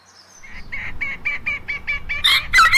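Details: Red-cowled cardinal singing a quick series of short, evenly spaced clear notes, about six per second, ending in two louder, richer bursts of rapid warbling.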